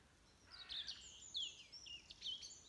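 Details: Birds singing in the morning at 06:45 on 22 November 2020: high thin chirps and short whistled slurs, some rising and some falling, overlapping in a soft dawn chorus against a quiet background.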